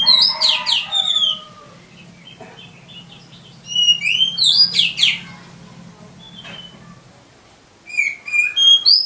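Oriental magpie-robin sings in bursts of rich, high whistles and quick chattering phrases, pausing between sequences; a faint low hum runs underneath.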